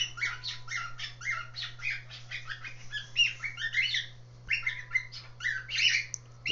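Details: Young cockatiel chicks chattering in rapid, scratchy chirps and squawks with a few thin whistled notes, copying a noise their father usually makes; owner unsure whether it is a flock call or mating call.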